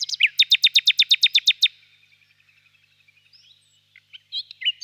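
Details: Common nightingale song: about a dozen loud, sharp, high notes repeated rapidly and evenly for under two seconds. A pause follows, then scattered soft whistles and chirps.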